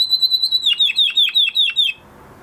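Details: Male canary in song after moulting, a held high whistle breaking into a series of about seven sharply falling notes before stopping.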